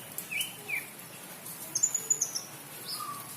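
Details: Greater green leafbird in breeding condition after a rain bath, giving scattered clear whistled notes: short rising and falling slurs, a high thin note series, then a lower sustained whistle, with quiet gaps between phrases.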